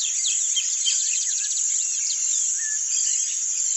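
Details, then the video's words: Rusty-collared Seedeater (coleiro do brejo) sings in the 'grego' style: a fast, varied run of sweet chirps, slurred whistles and a brief rattling trill, over a steady high insect-like hiss. "CANTO DO COLEIRO DO BREJO, CANTANDO GREGO"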